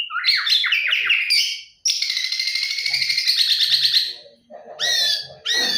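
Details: White-rumped shama singing in the morning: rich whistled phrases with rapid descending trills and a long buzzy rattling passage, then bright rising whistles, all high-pitched and loud.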